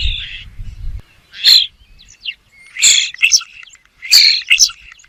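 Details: A bird calls in raspy, high-pitched bursts, often paired in quick doublets, spaced roughly a second apart; a brief low rumble opens the recording, then quiet between calls.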